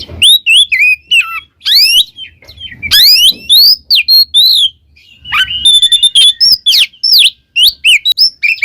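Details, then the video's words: Gacor ngeplong song of an oriental magpie-robin: loud, fast run of upward-sweeping whistles, bright slurred notes and scratchy chattering bits, a short pause near the middle, then more rapid whistled phrases. "SUARA burung Kacer GACOR NGEPLONG"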